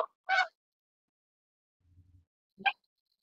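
Canada goose giving loud, brassy honks, two short calls about two seconds apart, with a low rumble between them.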